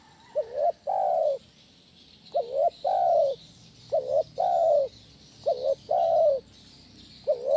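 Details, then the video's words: Loud lure call of a spotted dove for training other doves, a low cooing phrase of a short rising note and a longer sustained coo, repeated about every two seconds over a faint hiss. "SUARA BESAR PANCINGAN TEKUKUR KUK 1 GACOR"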